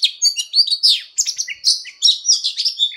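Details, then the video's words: Fighting song of an Oriental magpie-robin during voice training: quick bursts of sweet whistles mixed with buzzy, rising and falling slurs, about a dozen notes packed into a few seconds. "Choè than hót đấu/Choè than hót luyện giọng căng lửa/Choè than hót"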